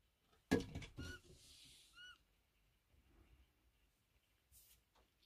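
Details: Captive little owl indoors on the morning of January 1 gives a few short, clear, slightly mewing whistled notes, one right after another; a person speaks briefly, with some indoor knocks.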